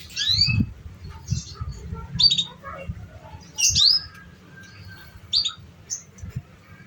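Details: Young canaries in training are meant to learn from this canary singing: high, sweeping slurred chirps and short note clusters in irregular bursts, separated by quiet gaps, over a low background hum.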